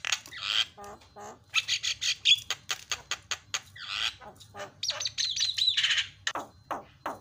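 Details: Javan myna training song with filler phrases to make other mynas shout: dense harsh broad squawks and rapid clicking notes, with a brief thin whistle mixed among the chatter.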